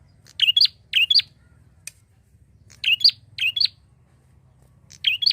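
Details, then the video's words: Prinia call played to lure other birds, heard as quick doubled chirps, each a sharp rising-and-falling note pair, in clusters of two with short pauses, a faint low hum underneath. "pancingan prenjak gacor untuk burung ombyokan"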